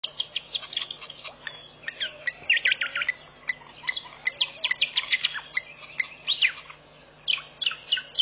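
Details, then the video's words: Wild birds singing at a waterhole in Mashatu Game Reserve, Botswana, at 5:00 am on 4 January 2014; many sharp, high whistled and trilled notes from several birds overlap over a steady high insect-like hiss. "Bird's Singing at Pete's Pond this Morning"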